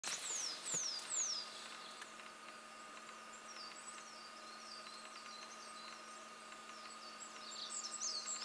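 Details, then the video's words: An olive-backed pipit at Mount Fuji's 4th station sings very high and thin: three quick down-slurred whistles, then a running series of rapid, sibilant trills and twitters, with a steady low hum underneath. "Olive-backed Pipit song ビンズイさえずり♪"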